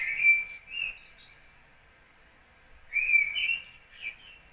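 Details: Mistle Thrush song with a deep whistled tone: a short fluty phrase, a pause of about two seconds, then another whistled phrase of a few rising and falling notes in a quiet background.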